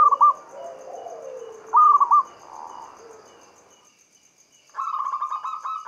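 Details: Local zebra dove song meant to draw other doves into singing: short clipped coo bursts separated by quiet, then a long vibrating trilled coo near the end, with a soft lower warble early on.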